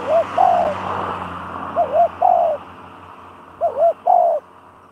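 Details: Spotted dove calling as a trapping decoy: soft hollow coos in repeated phrases, two quick notes then a longer falling coo, about every two seconds, over faint background hiss.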